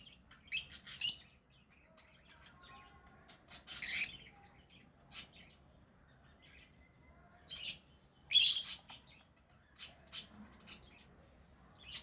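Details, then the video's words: Tame lovebirds giving scattered sharp, high chirps and short squawky bursts separated by quiet gaps of a second or more, with faint softer twitters between. "Love birds Sounds | lovebirds chirping sounds| parrot beautiful sounds"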